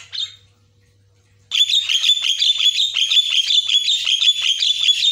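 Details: Caged white-rumped shama in lively, chattering song used as a training recording, dense rapid notes repeated nearly three times a second after a short silent start, steady low hum underneath.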